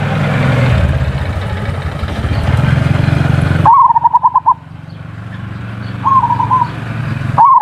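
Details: Zebra dove (perkutut) in ngerot and kuwor styles, a lure for mating stimulation and for silent birds: loud low engine-like noise, then a quick rippling coo trill, a shorter coo, and another phrase beginning.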